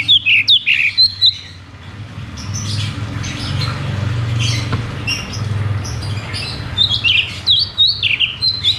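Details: Cucak cungkok singing 'ngeroll tembak' to stimulate silent caged birds: quick whistled phrases open and close the recording, with a humming, murmuring middle stretch.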